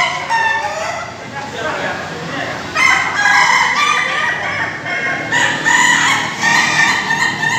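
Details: At a Bogor, Indonesia joint training of Ayam Ketawa laughing chickens, two bursts of long, broken, harmonic crowing rise in loudness, separated by a softer stretch of distant calling roosters.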